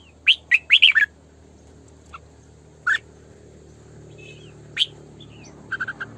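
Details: A female red-whiskered bulbul kept as a decoy bird sings a quick burst of four bright, chirpy notes, then single liquid notes a couple of seconds apart and a closing run of three, over quiet hiss.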